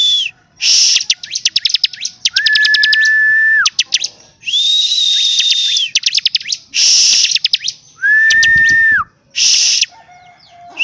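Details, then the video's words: Bar-winged prinia singing vigorously: bursts of fast buzzy rattling notes alternate with long, level whistles held for about a second, some high and some lower, with short pauses between phrases. "CIBLEK CIBLEK GACOR DORRRR!!!"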